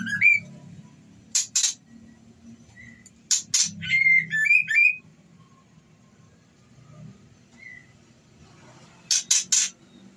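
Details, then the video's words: Female white-rumped shama in breeding condition calling the male: harsh, rasping double bursts alternate with short clear whistles and quick slurred notes, separated by quiet pauses. "Suara Murai Betina Birahi Memanggil Jantan"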